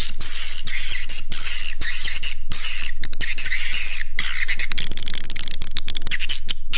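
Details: Swiftlet lure call in the 'Raja Di Laut' roosting style: repeated high, trilling twitter phrases about one per second, interspersed with scratchy chirps, over a continuous low hum.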